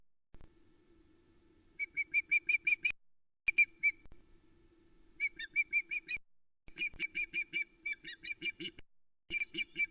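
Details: Female osprey Aila fish-calling in indignation on the Loch Arkaig nest, Scotland, morning of 2 July 2020, after the male flew past with a trout and left; rapid bursts of high, sharp whistled chirps, about three a second, over a low hum.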